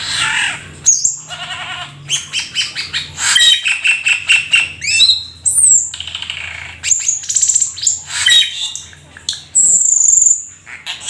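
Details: Rare, exotic Black-winged starling in energetic, mimicry-filled song: a rapid mix of harsh squawks, buzzy trills, steady whistled tones and piercing high notes, delivered almost without pause.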